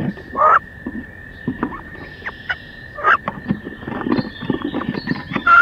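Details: Two female wood ducks battle in a nest box on 16 May, giving repeated rising squeals, three of them loud and clear. Thumps, scrapes and rustling from the struggle come between the calls, over a continuous electrical hum.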